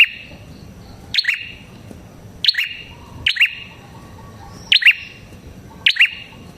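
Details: Red-headed prinia song meant to lure prinias: loud sharp chirp pairs at irregular gaps of one to two seconds, separated by quiet stretches with low background noise.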